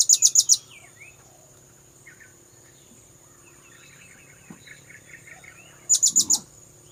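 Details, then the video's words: Blue-crowned hanging parrot lure call used to attract birds: two bursts of four very high, sharp, rapid notes at the start and near the end, with faint chirps from other birds and a steady insect hum in between. "Suara pikat burung serindit"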